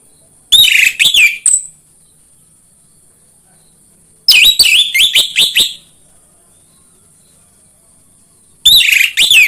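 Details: Lure song of an orange-headed thrush for stimulating birds at home to sing. It comes in three separate bursts of rich, rapid whistles and chattery notes, each about a second long, with silent gaps between and a faint high hum.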